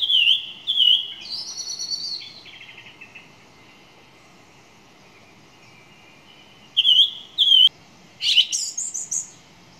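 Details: Song thrush singing: a clear whistled note given twice near the start, then a lower sustained phrase fading out, a quiet pause, and more doubled whistles followed by a rising, buzzy high flourish.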